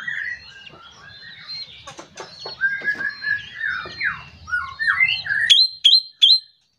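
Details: Morning song of an ashy drongo, known locally as srigunting kantil, played to coax other birds into song: busy jumbled whistles and chattery notes, then three sharp, loud clicking notes at the end.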